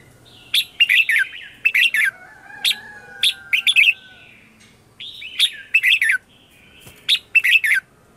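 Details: Morning song of a red-whiskered bulbul used as a lure bird to call in wild birds: about seven lively phrases of three or four fast, bright, bubbling notes repeated roughly every second, with a faint steady whistled tone in the background.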